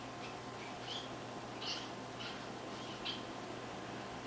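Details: A young crested society finch, about 1.5 months old, learning to sing, gives soft, scratchy high chirps in loose bursts about once a second, over steady hiss and a low electrical hum.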